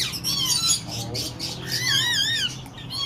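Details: Tame pair of talkative slaty-headed parakeets at Lalukhet birds market, Karachi: wavering, warbled whistles sliding up and down, mixed with rough squawky chatter, continuous over a few seconds with a faint low hum behind.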